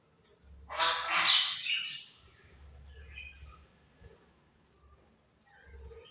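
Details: Budgerigar giving one loud, rasping squawky burst lasting about a second, followed by quieter scattered chirps and soft chatter, with a low background hum.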